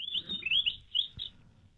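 Weebill giving a quick run of sweet, high, peppery chirps, several short notes in under two seconds, over faint low background rumble.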